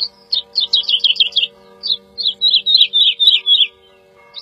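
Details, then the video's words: Song of a woodlark: a fast burst of repeated tumbling notes followed after a gap by a slower descending series of fluty, rolling syllables; faint low steady hum behind. "The song of the Woodlark -Lullula arborea -Δεντροσταρήθρα"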